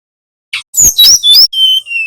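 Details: {'caption': 'Nyuling song of a Bali brown-chested jungle flycatcher, played so young birds copy it: a buzzy onset, three sharp upslurred chirps, then two long even whistles stepping slightly lower. Quiet background.'}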